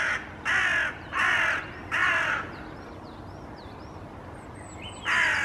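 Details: Several Hooded Crows in a treetop in Helsinki, Finland, during April 2024, vocalizing with mild agitation: three rough caws in rapid series, a quiet gap filled by thin rising whistles of small birds, then one final caw.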